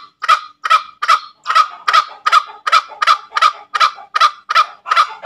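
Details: Green junglefowl ngekek: around thirteen coarse, clucking kek notes repeated steadily at a brisk pace of two to three per second.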